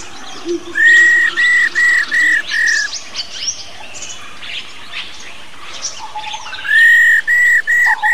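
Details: Female black-throated laughingthrush, an old wild bird, calling 'rò' to excite males: a burst of six harsh, buzzy, evenly spaced notes, a quieter pause with faint chatter, then another loud buzzy series begins.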